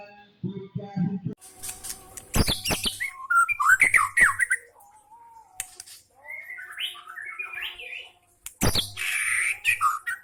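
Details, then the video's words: Caged White-rumped Shama (murai batu) singing with mimicked phrases of lovebird and prinia calls: loud rapid chattering bursts, slurred whistled notes and harsh scratchy passages, broken by short pauses, with a low hum beneath. "Murai batu tembakan love bird dan prenjak"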